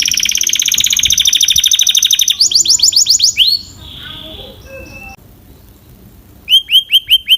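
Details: Canary producing a fast high rattling trill, a short run of rising chirps, a near-silent stretch with soft notes, then five loud repeated whistled swoops.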